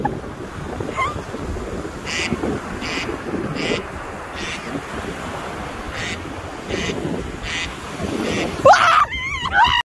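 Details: Gulls, with gull calls being played to them, give a string of short, evenly spaced harsh notes, then louder wavering, rising and falling squeals near the end, over steady surf and wind.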